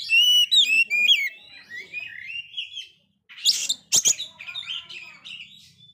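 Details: Oriental magpie-robin that failed its moult, singing hard, song for lifting a downhearted magpie-robin: rapid whistled and slurred notes, a rambling warble, a brief silence, then loud harsh buzzy bursts around three and a half to four seconds.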